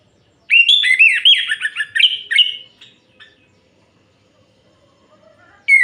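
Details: Orange-headed thrush night song meant to excite other males, a rapid two-and-a-half-second outburst of looping whistles and buzzy slurs, fading out, then silence and a new note starting at the end.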